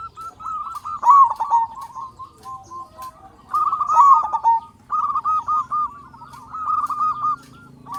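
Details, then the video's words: Loud local zebra dove, played as a lure to prompt other doves to sing, delivers rapid staccato cooing phrases, each a rolling trill of quick notes, repeated about every two seconds with short gaps between bursts. "Perkutut Lokal Gacor Suara Besar Pancingan Burung Perkutut Agar Cepat Bunyi"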